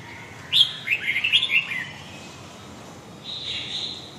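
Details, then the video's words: Red-whiskered bulbul in huế gọng dài song style gives one fast run of bright, bubbly whistled notes, followed by a quieter, drawn-out high note. "huế gọng dài"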